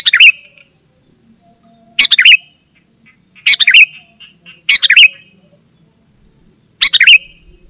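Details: Sooty-headed bulbul sound meant for calling wild birds and as a tutor for caged ones: five brief, bright chirping bursts spaced about one and a half seconds apart, each with a sharp click, over a thin high hum.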